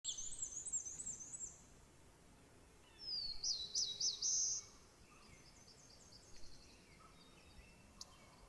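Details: Common yellowthroat warbler in Maine: a high, thin zigzagging trill opens, then a loud burst of quickly repeated, rolling high notes lasting about a second and a half, followed by fainter, softer phrases against quiet background hiss.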